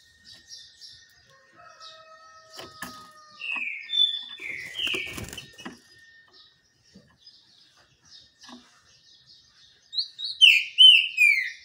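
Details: Green-winged saltator in the sun with wing flapping and rustling noises, a few slurred whistles midway, and a loud burst of whistled song near the end.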